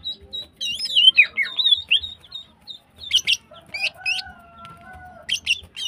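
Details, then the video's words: Female greater green leafbird in breeding condition, singing hard as a lure for males: slurred whistles and down-swept notes, then sharp clicking chips, over a faint steady background tone. "CUCAK IJO BETINA GACOR HIPER"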